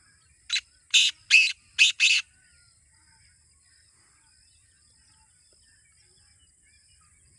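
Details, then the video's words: Kept black francolin calling: five rasping bursts in quick succession within two seconds, followed by several seconds of near silence and a click at the end. "Kala Teetar Awaaz Kholne Ka Tarika | Black Francolin Calling Formula"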